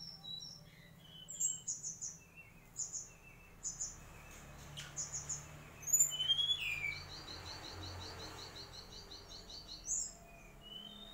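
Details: Mangrove whistler singing in short high phrases of thin whistles and quick chirps, spaced a second or two apart, with one upslurred whistle and a steady low rumble behind.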